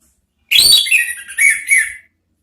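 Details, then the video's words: Orange-headed thrush trigger song, ngeriwik style: an upward-flicked high note falling into a wavering, slightly lower whistle, followed by two more warbled swells, all loud and clear over silence. "Siulan ANIS MERAH ampuh memancing BUNYI NGEPLONG ¦TERAPI PANCINGAN ¦ KICAUAN NGERIWIK"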